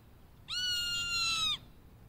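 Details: A young hawk responding to its mother gives one drawn-out, steady, high whistled note about a second long that dips slightly at the end, over a quiet background.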